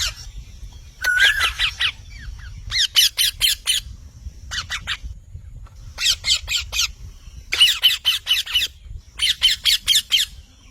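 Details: Parrot squawking in repeated bursts of four to six raspy notes, the bursts spaced one to two seconds apart, with one short whistle near the start.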